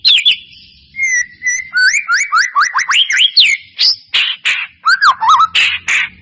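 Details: White-rumped shama lure song to provoke singing: steady tone, then a fast run of rising whistles repeated several times a second, followed by louder burry notes and looping phrases.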